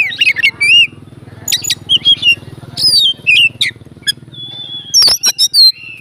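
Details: Oriental magpie-robin, a fighting bird, sings to provoke rivals: scattered sharp chirps and whistled slurs in short groups, with a steady low hum behind.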